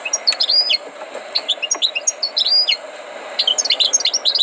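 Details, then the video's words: Scattered high chirps and short slurred whistles from a tutored European goldfinch, loosely spaced with small gaps between the notes. "غناء حسون قمة في الأداء غلطة لا _Chant du chardonneret"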